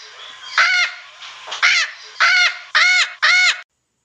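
A parrot gives five harsh, nasal squawks, each short and arched, coming about every two-thirds of a second with no other sounds.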